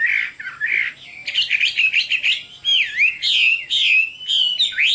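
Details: Chinese hwamei song, loud and varied: buzzy phrases, rapid chattered notes and swooping whistles in quick succession.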